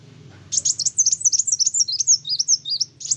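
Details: A sunbird singing vigorously, provoking other birds: a continuous, hurried stream of high, thin, wavering whistles and squeaky chirps, about two or three notes per second.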